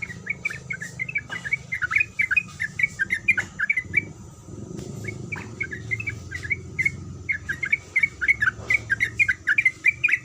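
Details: Female yellow-vented bulbul in breeding condition calls the male in bursts of rapid 'kuik kuik' chirps, broken by a short pause, with clicks and low background noise.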